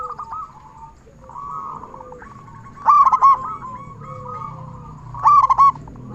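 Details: Loud-voiced local zebra dove from Indonesia, used to stimulate other zebra doves to call; two strong, quick cooing bursts stand out against continuous quieter cooing from neighbouring doves and a low background hum.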